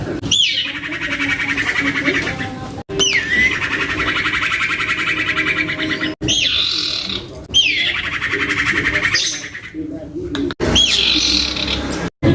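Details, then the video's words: Young common iora kept captive, singing a lure song for other irioras. Five phrases each begin with a sharp rising-falling whistle, followed by a long, dense, buzzy trill. The phrases are separated by brief breaks. "Anakan Cipoh Atau Sirtu Gacor Abis !!! MENTAL TEMPUR!!! ( PANCINGAN CIPOH AMPUH )"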